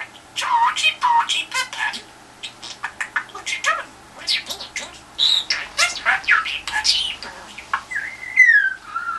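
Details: Budgerigar kept indoors, vocalising at a telephone to elicit a reply: long fast warble of clicks, chirps and scratchy notes, closing with drawn-out whistled tones that slide downward.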